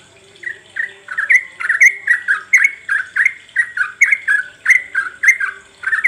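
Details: Lure recording of sooty-headed bulbul, meant to set other bulbuls singing, ngropel style: an unbroken chain of harsh, slurred notes dipping and lifting, nearly three a second for six seconds, over a light constant background hiss.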